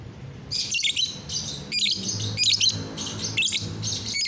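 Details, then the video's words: Lovebird singing on a bright morning, 30 November 2021: a loud, continuous run of shrill, high chattering chirps in rapid bursts, several per second, over a low background hum. "pagi yang cerah buat GACORAN LOVEBIRD"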